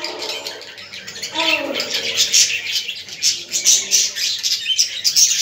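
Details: Budgerigar twittering for stimulating budgies: a brief lower tonal call early on, then continuous high, raspy chatter with sharp chirps standing out.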